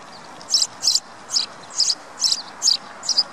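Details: Sparrow chirping: a short series of bright, high chirps, each a quick double or triple note, repeated at slightly uneven intervals over a soft steady background hiss.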